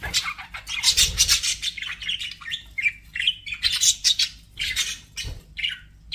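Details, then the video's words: Pet budgies in rapid, uneven bursts of squeaky chirps, rasping squawks and short warbled notes, with a few soft low knocks in the background. "BUDGIE SOUNDS"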